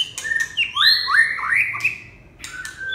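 A red-whiskered bulbul gives a quick, liquid phrase of rising, slurred whistles, bright and cheerful, with a few sharp chips before and after.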